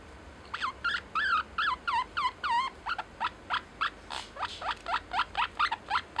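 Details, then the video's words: Caged pet lineolated parakeet voicing "love you" (daisuki) to its owner, a fast run of short, chirpy, bending syllables repeated about three times a second, steady throughout and clear over a quiet indoor background. "Life with Lineolated Parakeet 077 love you サザナミインコとの生活 だいすき"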